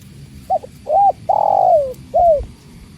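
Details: Spotted dove (tekukur) calling beside the sound of water: a short soft coo, an arched coo, a long drawn coo sliding downward, then a falling final note. A low murmur sits beneath.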